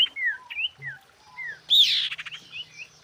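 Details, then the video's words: Female common iora calling the male: short whistled slurs, some rising and some falling, then a loud buzzy rattling burst near the middle, followed by more brief whistled notes against quiet background. "PANCINGAN BURUNG SIRTU BETINA GACOR MEMANGGIL JANTAN"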